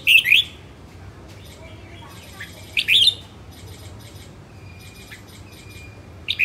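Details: A female red-whiskered bulbul in voice training gives three short, bright, warbled phrases about three seconds apart, with faint chirping and a low background hum between them.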